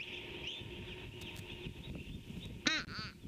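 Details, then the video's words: Fish crow calling in the background, morning of 26 February 2019: two nasal, harsh caws in quick succession near the end, the first loudest, over steady high twittering from other birds and low rumble. "Fish Crow calling"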